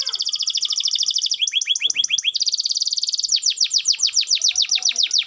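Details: Canary singing vigorously, used to stimulate lazy canaries to sing. Fast high trills of rapid notes give way to sweeping downward slurs, then another rolling trill and a run of loud swooping notes, with no pauses.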